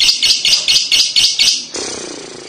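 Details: Lovebird kekek song meant to provoke a young lovebird to reply: six rapid shrill chattering pulses, then a steadier buzzy high tone.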